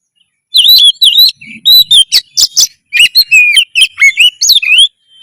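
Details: Kacer, or Oriental magpie-robin, singing loudly to heighten breeding drive and fight mode; continuous bright whistled phrases with wavering slurs and quick chips, delivered almost without pause for about four seconds.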